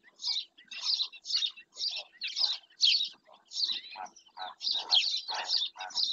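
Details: Black-winged stilt calling in Doñana park: a rapid string of loud, rasping kek-like notes, about two per second, some doubled, with lower grunting overtones.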